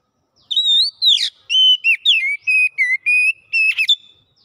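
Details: Oriental magpie-robin, called kacer, giving gacor song that shows its repertoire. It starts with a fluty rising whistle and a harsh buzz, then runs through a string of level whistled notes and ends with a crackling flourish.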